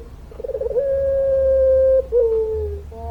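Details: A puter pelung dove gives a few quick throbbing notes that lead into a long, level, pure coo held over a second. A shorter, downward-gliding coo follows.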